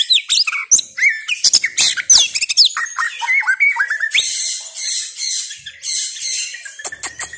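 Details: White-rumped shama in full song: dense, fast outpourings of sharp chips, clicks and squeaky whistles, then a stretch of high, rasping, warbled phrases, with sharp snapping notes near the end.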